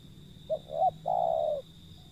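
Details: Wild zebra dove: two short soft notes followed by a longer, steady, mellow trill-like coo, over a low background hum and a steady high whine.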